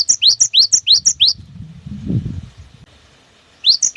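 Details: Cinereous tit giving its long 'wucit wucit' song to stimulate other birds: seven rising whistled notes in quick series, a low rumbling noise, then three more notes.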